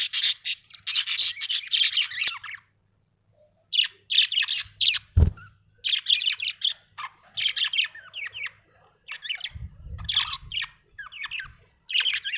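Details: Happy budgie chirping: long stretches of rapid, scratchy high warbling and chattering notes, almost continuous with short breaks, a single thump midway and a low rumble near the end.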